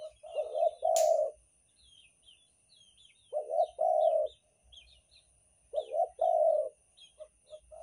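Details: Banten spotted dove cooing as a lure for attracting others: three phrases, each a broken double coo running into a longer steady low note, spaced about two to three seconds apart, with a sharp click near the start and faint thin bird chirps.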